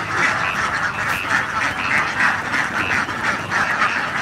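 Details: Thousands of young ducks head home to their pen from the rice fields, swimming through paddy water and calling constantly. Rough, nasal quacks pile on one another several times a second, forming an unbroken, busy flock noise.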